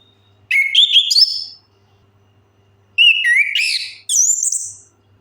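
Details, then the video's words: Orange-headed thrush song used as a lure to prompt quiet birds into singing; two bursts of rich, slurred whistles with rising and falling notes, a pause of over a second between them, and a faint hum. "Suara pancingan AMPUH 100% untuk Anis Kembang Macet Bunyi"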